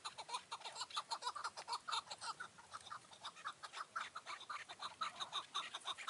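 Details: Chukar partridge calling at nightfall on a mountain in June 2018, near a trap under a tree; loud, regular chucking notes repeated about twice a second, forming a rolling rhythmic series, faint outdoor hiss beneath.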